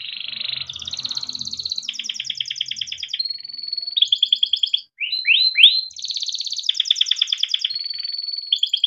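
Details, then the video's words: Timbrado canary in melodic training song, with rolling buzzy trills, a few steady held tones and a quick run of falling slurred notes; faint low rumbling in the first seconds. "Timbrado canary singing beautiful melodic songs for training"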